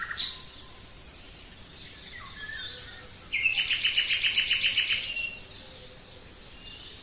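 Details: A common nightingale sings in a forest, with scattered sliding whistles first. Then comes a loud, very regular trill of about a dozen pulsed notes repeated quickly for over a second, followed by softer notes.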